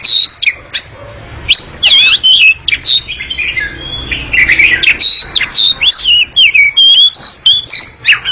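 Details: Oriental magpie-robin (kacer) singing a long, agile, noisy ngekek song: rapid high whistled and warbling phrases with sliding notes and harsh chattering bursts, delivered in near-continuous runs separated by brief pauses, with faint clicks in the background.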